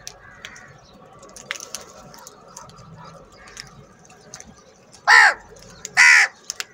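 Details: Crows squabbling over food in a large flock: quiet clicking and faint calls, then two loud harsh caws close together near the end.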